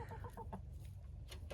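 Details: A free-ranging rooster in a mixed Red Junglefowl and Easter Egger flock of four roosters and seven hens in snowy southeast Oklahoma, evening, gives four short, mid-pitched clucking notes, then falls quiet, over a steady low wind rumble.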